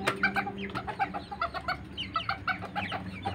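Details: Serama bantam chickens, a very small breed, from Banten, Indonesia: a busy stream of short overlapping clucks and chirpy notes from several birds, with a steady low background hum.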